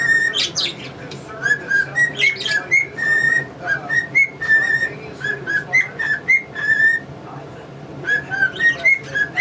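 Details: Whistling pet cockatiel, male, running through a familiar tune in clean, evenly spaced notes that step up and down. Short pauses split the phrases, and English budgies chirp in the background.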